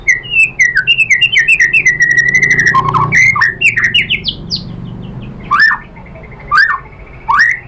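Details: White-rumped shama singing to provoke other birds: a fast, varied stream of whistles and chattering notes, then loud, separate, downslurred whistles spaced about a second apart.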